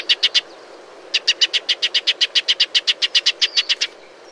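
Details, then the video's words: Shining sunbird (Cinnyris habessinicus), a bird of dry woodland and scrub in arid Africa and Arabia, recorded in natural desert habitat: three sharp high chips, a pause, then about twenty evenly spaced bright chips, roughly five per second, over faint hiss. "Shining Sunbird’s Call"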